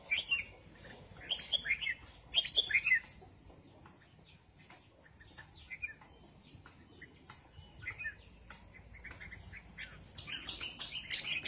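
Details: Red-whiskered bulbul sunbathing, singing lively, bubbly chirped phrases in two loud bursts early on, softer scattered notes in between, then a bright, busy flurry of notes at the close.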